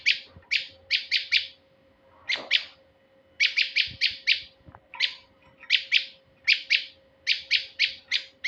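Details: Male prinia call used as a lure for birds: rapid bursts of three to five sharp, high chirps, each burst separated by short pauses and repeated steadily throughout, over a faint constant low hum.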